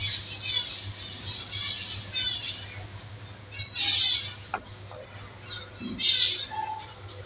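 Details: Zebra finch chicks, one of five healthy young from an undersized captive breeding pair in an aviary, give harsh, raspy high-pitched begging bursts in uneven clusters about every second or two, over a steady low electrical hum.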